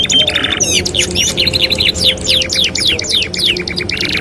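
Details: Canary song used for training canaries: a buzzy opening, then a series of down-slurred chirps repeated about four times a second, bright and loud against a faint low hum.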